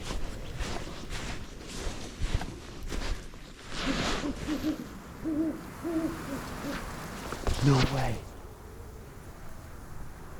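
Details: A Great Horned Owl in a forest in winter gives deep, soft hoots, a short run of low notes repeated in two bursts, over a quiet forest hush; a man speaking softly wonders whether the call was close.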